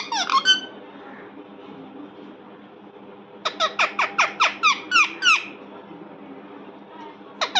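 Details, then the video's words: Parrot in a small room giving a few shrill notes, a long quiet gap, then about ten rapid, evenly spaced squeaky chirps and one last call. "Parrot sound Parrot talking"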